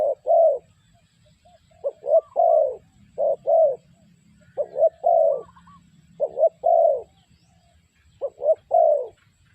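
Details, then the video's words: Spotted dove decoy for bird trapping coos steadily, giving six low phrases each ending in a longer rolling croo, spaced about one and a half seconds apart, with faint background whistles. "The Sound Of Spotted Dove Bird"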